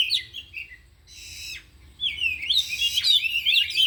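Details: Kacer, meaning oriental magpie-robin, one of four captive birds singing during afternoon training and displaying isian material. A few short whistles, a harsh raspy burst, then a dense rapid run of sharp whistled notes. Low hum underneath.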